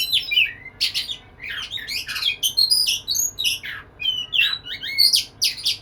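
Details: In courtship of a female, an Oriental magpie-robin (kacer) sings lively phrases of bright whistles, rising and falling slurs and scratchy chips, packed closely with short gaps between them.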